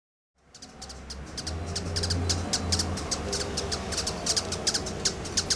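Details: A rufous-tailed hummingbird (Amazilia tzacatl) in Costa Rica gives rapid, high, dry ticking chips, roughly two or three per second in uneven bursts, over a steady low hum.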